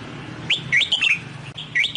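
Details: Close Red-whiskered bulbul song, Sông Kon style, for training a new wild-caught bird: a rapid run of sweet, slurred whistles rising and falling, then after a short gap another phrase starts.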